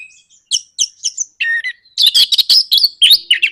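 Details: Orange-headed thrush, a cage bird, in nraktak konslet style song intended to provoke singing: brief high chirps, a buzzy lower note, then a dense, rapid jumble of rattling, whistled phrases.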